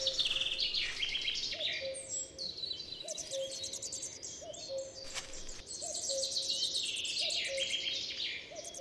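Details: European robin in damp, heavily shaded Central European forest with rich groundcover: high, thin, rapid phrases of tinkling and trilled notes that shift in pitch; a soft low tone pulses about every one and a half seconds beneath.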